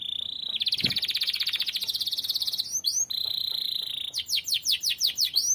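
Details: Canary in energetic song used as a tutor: a steady whistle runs into a dense buzzy roll, another long even tone, then a string of quick descending notes.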